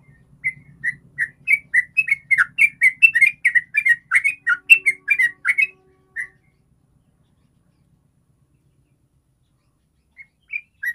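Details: Sooty-headed bulbul in 'ropel' style, a rapid continuous song, used as a lure to make other bulbuls sing. Quick run of short whistled, slurred notes for about six seconds, then near silence with a few notes at the end.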